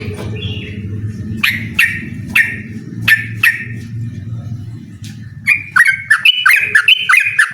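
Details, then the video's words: Yellow-vented bulbul in full song, challenging a rival to a rapid-fire song duel: after a low rumbling start, bright bubbly notes burst out in quick succession, rising into a denser chattering run toward the end. "suara burung trucukan gacor mengajak lawan adu ropel"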